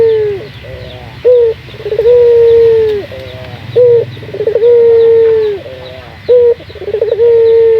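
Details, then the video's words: Lure recording of a local puter dove meant to prompt other doves to sing: repeated phrases of a short clipped note, a rolling stutter and a long, steady coo dropping at its end, about every three seconds. "Pancingan burung puter gacor, melatih burung puter lokal agar cepat gacor"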